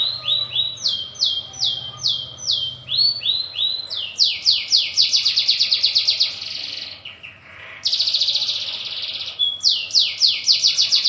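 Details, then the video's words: Local brown canary in a long rolling song: fast series of bright, sweeping notes repeated several times a second, speeding into dense trills, a brief dip in the middle, then renewed rolling phrases. "SUARA BURUNG KENARI NGEROL PANJANG!"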